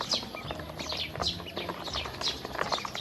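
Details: Hungry domestic ducklings being fed, a brief burst of thin, downward-sliding peeps about every half second mixed with pecking taps.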